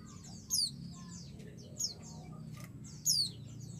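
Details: Calling female white-eye trying to stir a male to answer, giving three piercing high notes that slide steeply downward, spaced unevenly, amid faint chattering and a steady low hum.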